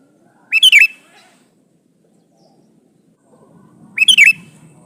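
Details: Male sooty-headed bulbul calling to a female: a short bubbly phrase of quick rising-falling notes, heard twice about three and a half seconds apart, with quiet low background rumble.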